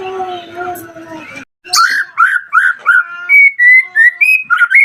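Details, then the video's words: Lure recording of white-rumped shama song meant to call out a rival and provoke an answer; after a low droning opening, clear whistled notes follow in a rapid series, roughly three per second, each gently rising or falling. "PANCINGAN AMPUH MURAI BATU AGAR CEPAT BUNYI - Sekali putar langsung nyaut dan respon"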